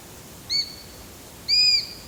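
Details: ['Eurasian sparrowhawk: a short high whistle, then a longer, louder drawn-out whistle a second later, both with a gently arched shape.']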